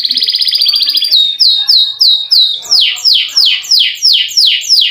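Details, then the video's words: Canary delivering long rolls, intended to stir idle canaries to sing: a one-second buzzy trill, a few short dropping notes, then broad sweeping descending phrases about three per second. "KENARI GACOR NGEROL PANJANG COCOK UNTUK PANCINGAN BUNYI BURUNG KENARI YANG MALAS BUNYI"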